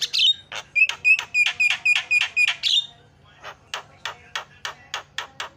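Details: A run of loud, harsh repeated calls, each carrying a short whistled tone, comes from a Javan myna used as a lure to make other birds call. Softer clicking notes continue at a similar pace afterward.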